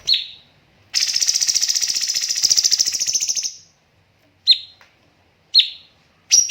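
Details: Cucak cungkok in a bird-training master recording with pauses and tight bursts: one sharp chirp, then a rapid, buzzy, high-pitched rattle of about two and a half seconds, then three separate sharp chirps.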